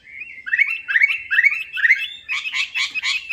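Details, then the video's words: A Chinese hwamei (Garrulax canorus) in a lure recording sings rich, slurred whistled phrases, about two or three a second, building into louder, harsher bursting notes at the end. "PANCINGAN WAMBI MACET"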